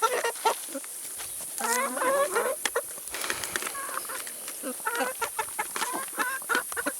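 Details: Chickens at a meal of salad and vegetables: a few drawn-out, wavering clucks early on, then quieter sparse clucking and pecking taps.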